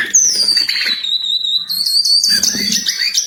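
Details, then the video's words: Jongkangan in lively song, giving a long, thin, high whistle that falls then holds level, followed by rising and sweeping whistles and quick chattering notes. "Burung Jongkangan Gacor"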